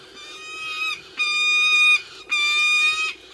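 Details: At a peregrine nest in the west of Ireland on a late May evening, with the female feeding three-week-old chicks: three drawn-out, steady, nasal wails, each near a second long, separated by short gaps.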